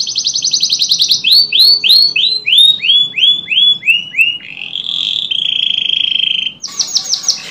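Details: Canary song for encouraging canaries that have stopped singing: quick trill, a run of loud downslurred whistles about every third of a second, then a buzzy rattle and a final rapid trill.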